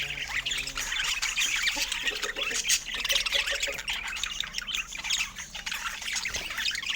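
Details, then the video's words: Busy budgerigar chatter: quick grating squawks and twittering notes pour out nonstop, with a soft low tonal hum early on. "Funny Budgie Sounds Full of Love"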